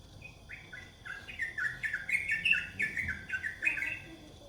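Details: Yellow-vented bulbul, common in Singapore's parks and gardens, giving a rapid run of bubbly, chattering notes, about three per second, mid-high and warbling with a rich, metallic tone.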